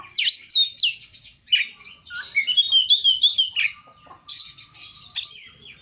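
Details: Vigorously singing kacer, the oriental magpie-robin, in a master recording: loud high whistles and chirps, a rippling warbled run in the middle, and a long steady thin tone underneath later notes.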